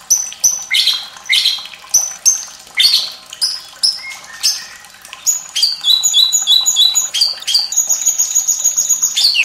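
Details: White-rumped shama training song for young and lazy-singing birds, with trickling water; separate sharp high phrases spaced about a second apart, then quick repeated chips and a sustained high rattle.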